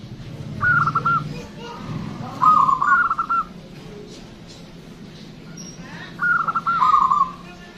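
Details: Local zebra dove singing strongly, a big-voiced bird used to draw in other birds: three separate phrases of choppy, stuttered cooing, the first notes higher and the ends trailing lower, spaced a few seconds apart.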